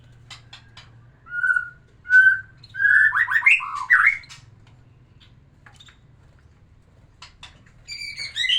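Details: White-rumped shama, or murai batu, singing to arouse a female for breeding: two plain whistled notes lead into a rich, quick, slurred warbled phrase, then silence and a high, chattering twitter near the end.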